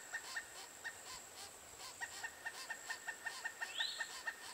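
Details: A female Pileated Woodpecker chick, near fledging, in a nest cavity at Chassahowitzka WMA while adults coax her to leave gives a quick, steady run of short nasal notes, about three a second, over a constant high insect drone and one brief rising whistle.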